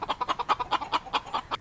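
A chicken clucks in a rapid string of about a dozen short, mid-pitched notes, roughly one every tenth to fifth of a second, with nothing else heard.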